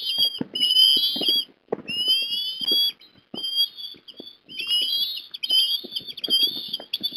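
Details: Ospreys at a nest in Port Lincoln, Australia, on a December afternoon as a fish is brought to the young: bursts of shrill whistled piping in runs of one to two seconds, separated by short pauses, over low knocks and rustles.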